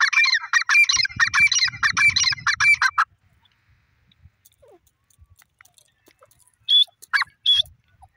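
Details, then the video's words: An Irani dakhni teetar (francolin) gives a loud, harsh, rapidly repeated grating call for three seconds, then falls silent before two shorter bursts; faint low rumble underneath. "teetar birds beautiful voice"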